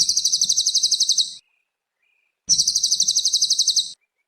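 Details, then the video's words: Tutor song of a cililin for training young cage birds: two high, quick, buzzy trills of evenly spaced pulses, each about a second and a half, with a one-second gap between them and faint low background rumble. "Masteran kicau burung cililin gacor"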